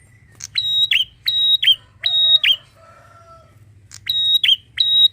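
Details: Bar-winged prinia with a loud song of sharp, clipped metallic notes in quick groups of two or three, separated by short gaps, with a faint lower whistled note in the middle.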